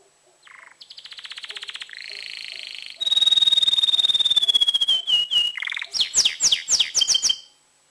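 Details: A tamed male canary, excited, sings to ready females for breeding. A short note opens into buzzing pulsed trills, then a loud steady rolling trill dropping gradually, finishing with a burst of sharp descending whistles.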